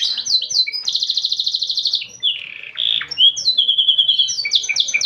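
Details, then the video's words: Canary song of fast rolling trills, a long rapid pulsed buzz, then slurred whistles and quick repeated notes, loud and close. "Burung Kenari Gacor Cengkok Unik"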